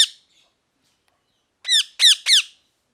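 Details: Parrot giving loud, raspy squawks: one cut-off call at the start, then three harsh screeches in quick succession after a pause.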